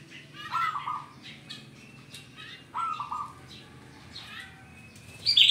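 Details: Zebra dove song meant to lure and trap other zebra doves: two short falling cooing phrases, with scattered chirps and a loud high burst at the end.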